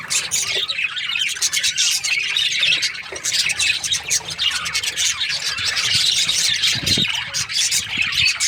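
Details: Chattering budgies during breeding season, many overlapping squeaky chirps and warbles, with a brief low thud near the end.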